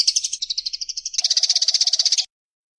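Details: Eurasian tree sparrow fighting: a fast series of harsh, buzzy chirps, about ten per second, shifts after a second into a louder, denser chattering burst, then stops abruptly.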